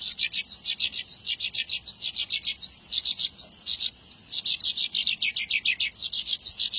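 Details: Sustained Javan bush lark song: rapid rhythmic chirps and short trills, interspersed with thin high squeaky notes, continuing evenly throughout.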